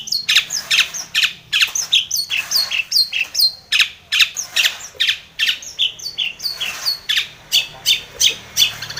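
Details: Energetic, continuous chattering from a long-tailed shrike calling a rival: quick varied notes, some whistled and some scratchy, about two or three per second.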